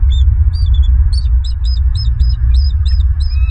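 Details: Bald eagle at a Southwest Florida nest, picked up by a live nest camera on 16 November 2022 around 14:57: rapid, high, chattering notes repeated about three times a second in a quick run, over a constant low rumble of wind or mic hum.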